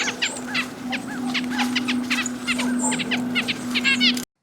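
Red-breasted Nuthatch calls: quick, nasal, tinny notes repeated several times a second, with other chirps over a steady low hum.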